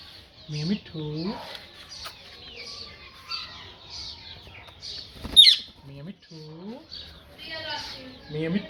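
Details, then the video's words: A parrot talking, giving short speech-like phrases with rising and falling harmonic syllables in bursts, mixed with high squeaky chirps and a sharp click midway. "Parrot Talking"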